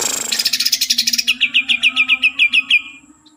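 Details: Kalimantan green leafbird opening with a dense chattering trill that turns into an even run of about fifteen bright, high, downslurred notes over a steady low hum.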